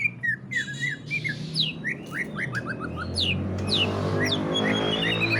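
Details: Greater green leafbird in ngentrok style, meant to prompt other leafbirds to sing: a rapid string of short descending whistles and sharp high notes, with a steady buzzing hum rising under the second half.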